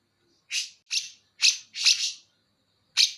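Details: Greater green leafbird, Banyuwangi type, with bearded bulbul (cucak jenggot) imitation: five separate, broad, harsh chirps spaced unevenly, then a pause before one final sharp note.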